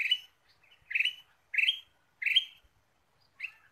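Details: Vigorous ruby-throated bulbul used for luring birds, giving five short scratchy chirps in quick succession, each slightly upslurred, with near silence between them.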